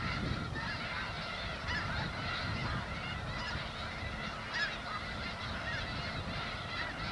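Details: Massed Snow Geese feeding in Skagit Delta wheat, Washington State, produce a dense murmur of honks, with a few louder individual calls standing out above the chorus.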